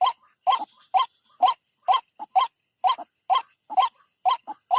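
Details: At a bird trap, a white-breasted waterhen attacks a rival with evenly spaced, harsh croaking calls, each loud note paired with a quicker, fainter echo-like note, about two per second.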